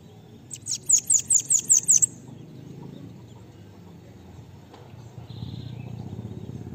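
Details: Bananaquit song used for tutoring other birds: a burst of six or seven high, thin, falling notes in rapid succession over about a second and a half, followed by quiet background noise and a brief faint rattle.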